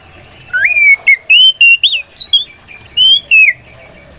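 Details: White-rumped shama in full song, used to provoke other shamas into answering and fluffing their tails; clear rising whistles and slurred notes around a steady pitch, broken by short sharp chips, phrases separated by brief pauses.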